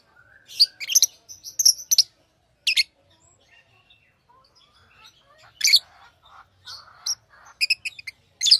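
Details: Tame pet lovebirds chirping: sharp, shrill high chirps in quick bursts of two or three, with short gaps and fainter twittering between them and a quiet background.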